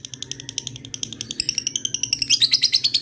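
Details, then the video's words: Lovebird calling to rivals, ticking notes quickening into a rapid high chatter that rises in intensity toward the end, over a faint low hum. "suara burung lovebird ngetik ngekek"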